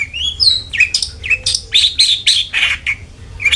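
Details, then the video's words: Long-tailed shrike song used as a lure to get a kept bird singing often: rapid, varied chattering phrases mixing upslurred whistles and buzzy notes, about four per second, with a low hum underneath. "PANCINGAN CENDET AGAR RAJIN BUNYI"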